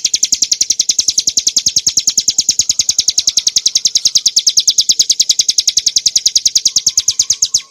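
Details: Bar-winged prinia, subspecies montana, singing its clear ngebren song for training and provoking cage birds: a long, even rattle of piercing high notes that stops abruptly at the end.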